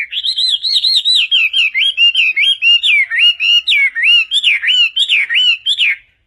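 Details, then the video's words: A Chinese hwamei sings lively, loud and rich whistled, slurred notes, about three a second, rising and falling in quick phrases with no other sounds; the song is used as a model for training other songbirds. "Suara Burung Wambi Gacor"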